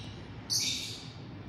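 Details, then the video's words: A single loud, piercing lovebird shriek, heard from a distance, cuts in briefly and then fades, set against a faint low hum. "Dari kejauhan sudah terdengar suara lovebird"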